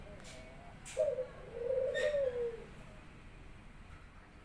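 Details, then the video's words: Pet Barbary dove greets its owner home from work with a single coo: a brief rising note, then a long, purring, low tone that drops at the end. Soft clicks and taps come from nearby. "burung puter saya udah gacor"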